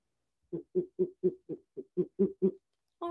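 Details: A captive great horned owl, very chatty during a wildlife education presentation, gives a quick run of nine low, soft hoots, about four per second, and a brief harsher sound follows at the end.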